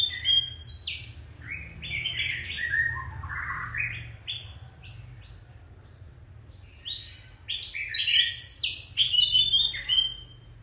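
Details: Oriental magpie-robin, an old wild-caught bird, sings sharply: rapid varied whistled notes, a brief lull, then a loud jumble of high, piercing phrases with a faint low background hum.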